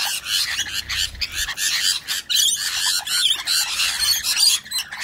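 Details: A pair of rainbow lorikeets asserting dominance over others screech and chatter, with harsh, high, overlapping squawks coming in rapid bursts almost without a break.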